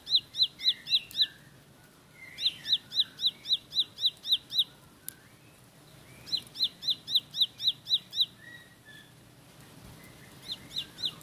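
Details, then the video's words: Bar-winged prinia (ciblek sawah) in bursts of rapid roll song: runs of about ten high down-slurred chips at nearly four per second, separated by pauses with softer lower chirps from another bird. "Tembakan Roll Spead Ciblek Lagu Full Kolibri // Ciblek Sawah/Ciblek Pari"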